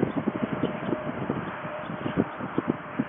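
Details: White storks in Ostrołęka, Poland, full of energy after bathing; quick, low, knocking pulses repeated several times a second, like wooden clattering, over a steady background hiss.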